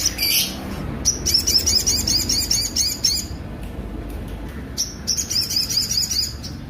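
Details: Sunbird song with rough, pronounced notes for training other songbirds: fast, piercing, high chittering trills in several bursts, each a second or two long, separated by short pauses.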